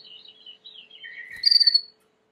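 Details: Timbrado canary song for training: soft warbling notes lead into a sustained liquid trill, then a sharper high rolling trill before silence.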